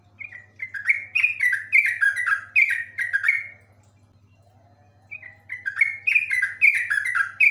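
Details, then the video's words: Yellow-vented bulbul (trucuk) in full vigorous song, a long, complete song of rapid runs: quick bubbly falling chirpy notes in two long bursts split by a short pause, over a faint low hum. "trucuk ropel panjang super komplit"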